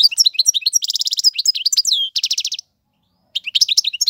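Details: Tutoring song of a male European goldfinch: fast twittering chirps, two rattling buzzy trills, a short silence, then the twitter resumes.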